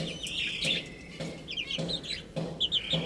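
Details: Baby chickens eating and drinking, giving high, thin peeps that slide downward, several per second, mixed with soft dull taps roughly every half second from pecking.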